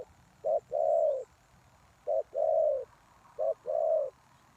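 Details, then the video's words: Decoy spotted dove calling to lure wild doves: three evenly spaced low phrases, each a brief clipped coo and then a longer rounded coo, with quiet gaps between. "Suara Tekukur Pikat"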